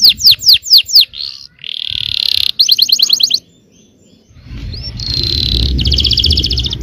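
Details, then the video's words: Yellow canary song, played to provoke other canaries into singing: loud, fast, repeated sweeping trills, a pause, then more rolling trills over a rushing low background noise. "suara kenari kuning bon yang sangat efektif memancing emosi.. belum ada 10 detik pasti nyaut gacor!!"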